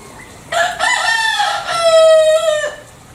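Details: Green junglefowl from Bali, one loud crow of about two seconds: a harsh opening burst, then a long, rich, harmonic drawn-out note that holds level and stops abruptly, with quiet background.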